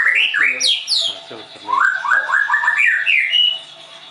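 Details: Trained caged White-rumped shama in Tangerang, Indonesia, opens with sharp high up-sweeping whistles, then a quick series of rising slurred notes, repeated in rapid succession, with a short voice-like sound in between.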